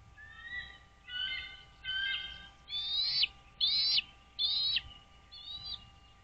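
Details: American bald eagles at a lakeside nest on Dale Hollow Lake reservoir, Kentucky-Tennessee border, recorded by a nest cam on 09.04.2023 at 08:29. A series of about seven piercing, squealing notes, each near half a second, sharpening and intensifying mid-sequence, with steady hum beneath.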